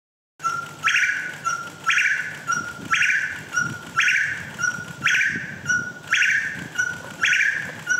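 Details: Crimson-headed partridge from Malaysia gives loud, harsh, ringing notes, about one each second in a steady series, with a faint hiss of background sound.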